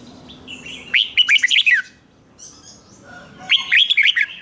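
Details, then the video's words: Caged red-whiskered bulbul giving a doubled song phrase meant for young birds to learn: two rapid runs of liquid, warbled whistles, each under a second long, separated by a pause with soft background twitters. "นกหัวจุกนกร้องริก เบิ้ล3 เปิดให้นกฟังก๊อปติดง่าย#Chào mào#Red-whiskered BulbulIเบิ้ลร้องริก"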